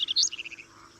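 Common reed bunting gives a quick run of about eight high, thin chirps that peak early and then step slightly lower, with little else heard.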